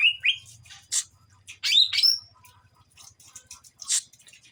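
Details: Kuningan Greater green leafbird, young, learning to sing ngeplong style: scattered rising whistles, sharp high chips and a loud twisting slurred phrase, with irregular pauses and faint low rattling underneath.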